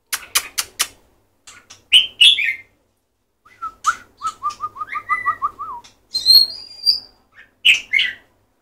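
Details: White-rumped shama song: sharp clicks, then a rapid run of short repeated whistled notes and several slurred high whistles separated by pauses.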